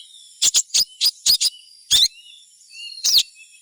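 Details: Sogon song used to draw other sogons into singing: quick pairs of high bright chirps, a longer warbled note, and a final downslurred call.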